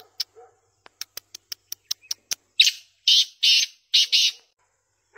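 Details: Black francolin (kala teetar), a tamed local bird, giving a string of sharp, evenly spaced dry clicks that speeds up, followed by four or five loud grating, buzzy rasps in quick succession.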